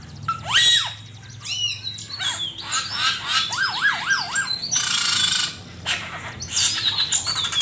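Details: Master recording for training songbirds with an Asian pied starling giving loud swooping notes, a run of zigzag rising and falling whistles, and noisy harsh bursts over background hiss.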